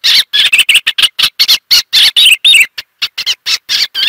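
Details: Eastern olivaceous warbler delivering a rapid run of choppy, twittering notes with some wavering whistled phrases near the middle. A short pause follows before the chattering resumes.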